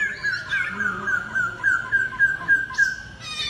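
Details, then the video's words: Laughingthrush in a singing duel, pouring out a continuous fluid warble of quick slurred whistles at steady pitch, ending with a short high squeak. "Khướu Hót Đấu Đá Giọng – Giao Chiến Căng Thẳng Từng Nốt"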